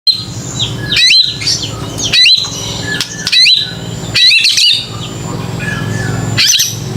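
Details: Caged young white-rumped shama (murai batu) song used as a lure to coax young birds into singing: bursts of loud, varied whistles and sharp chirps mostly high-pitched, repeated roughly every second with short pauses, over a low steady hum.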